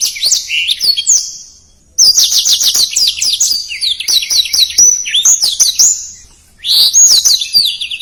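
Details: Black-throated canary delivering fast, dense song in three bursts separated by short silences: runs of quick, high, repeated slurred chirps and whistles with its distinctive phrasing.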